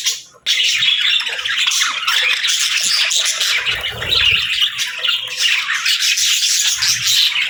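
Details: Pet parakeets and lovebirds chirping in their morning routine: dense, continuous chatter of several birds, with shrill squawks and rapid chirps packed together without pause, all high-pitched.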